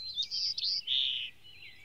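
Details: White-crowned sparrow in Maine, singing on its way north in 2013: a high thin whistle, then a longer steady whistled note slightly lower, fading into a faint trailing phrase; quiet background otherwise.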